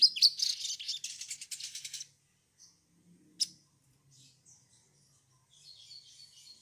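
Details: Sunbird on a lure track for getting birds to sing: two seconds of rapid, high, scratchy twittering, then a single sharp chip and soft, scattered high notes in a quieter stretch.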